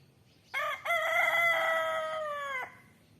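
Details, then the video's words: Rooster crowing: a brief opening note, a short gap, then a long, loud, harmonic-rich crow held steady for nearly two seconds before ending abruptly, over a quiet low background hum. "Sweet sound of roster"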